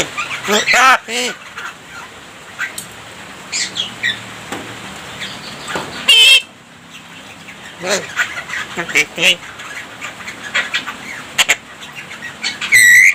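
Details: Javan myna performing a rich song packed with imitated human voices and coughing; loud harsh rasps and squeals, wavering harmonic notes and scratchy chatter in irregular bursts, separated by short quieter gaps.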